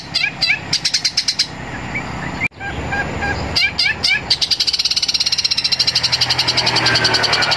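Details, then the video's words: Long-tailed shrike mimicking a sparrow in a fighting style, giving fast, harsh sparrow-like chirps, then a brief pause and an accelerating run of rapid buzzy notes; faint background hum. "Cendet tembakan Greja tarung istimewa gacor fighter"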